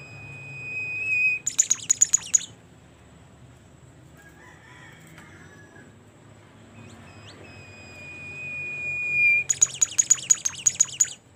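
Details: Bimoli bird in full voice, giving a high steady whistle that breaks into a short run of rapid sharp ticks, a quiet pause with faint chatter, then a falling whistle and a longer ticking burst; low background hum throughout.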